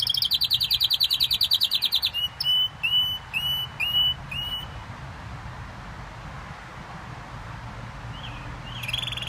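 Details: Canary song: opening fast high trill, then several separate swept whistled notes, followed by a long quiet stretch before a short trill resumes at the end.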